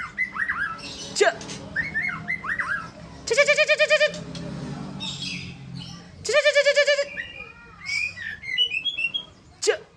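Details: Sumatran White-rumped shama in varied song: looping whistled slurs, sharp upward whips, and two long harsh buzzy bursts rich in overtones, separated by brief pauses, with faint background noise.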